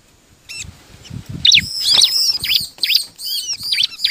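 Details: Bar-winged prinia song played to coax other birds into singing: after a short pause, rapid high curved chirps follow one another in a bright, insistent stream, with low thuds underneath.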